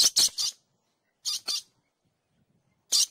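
Dusky lory giving harsh, high screeches in short bursts: three quick ones, then a pair, then a single after a pause.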